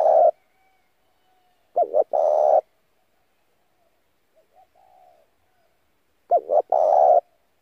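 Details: Spotted dove decoy call used to lure wild doves and train caged birds' voices: deep cooing phrases around two quick notes then a long burred coo, repeated twice with a faint softer coo between.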